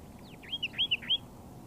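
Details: Layard's warblers (tit-babblers), a pair foraging in bushes on a dry Karoo farm near Hanover, Northern Cape, South Africa, exchanging soft song: a short warbled phrase of four or five quick, slurred whistled notes.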